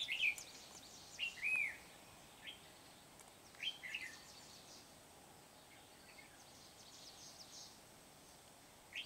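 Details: Red-whiskered bulbul used as a decoy to trap wild bulbuls at Kim Bôi, 8 September 2019; short warbled whistled phrases come in scattered bursts over steady background hiss and faint high rustling.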